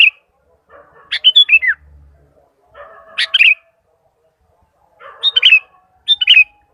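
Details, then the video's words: Calling Sooty-headed bulbul summoning other bulbuls, with four separated phrases, each a cluster of sharp notes falling into a fluid whistled downslur, with faint chatter between. "Suara Burung Kutilang gacor memanggil"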